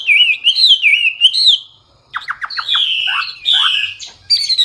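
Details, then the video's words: Hwamei, or wambi, singing gacor with full isian, loud and clear: a rolling warbled whistle phrase, a brief pause, then rapid clicking notes and swooping downward slurs. "Hwamei/wambi gacor full isian suara keras jernih"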